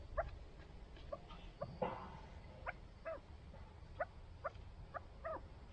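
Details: Kept chukar partridges giving short, clipped mid-pitched calls, repeated irregularly about every half second to second, some notes doubled, over a quiet outdoor background.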